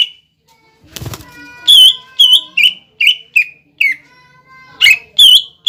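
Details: A gacor cucak ijo sings a pancingan for young trotolan and ombyokan birds. A thump is followed by ringing, slurred whistles with high overtones, given in spaced groups of two or three notes.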